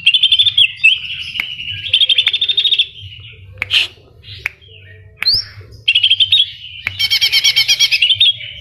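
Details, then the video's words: Greater green leafbird in full song, its singing filled with imitations of kapas tembak and cililin: bright, rapid trilled phrases around high pitch, broken by sharp upward whips and short pauses, then a loud buzzy, pulsing run near the end. "Cucak Ijo Gacor Full Isian Tembakan Kapas Tembak dan Cililin"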